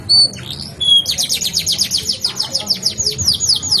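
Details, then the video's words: Canary song opening with two sharp high whistles, followed by a long run of quick falling notes repeated in a rolling trill, background fairly quiet. "kenari ngerol terusss gacor dor"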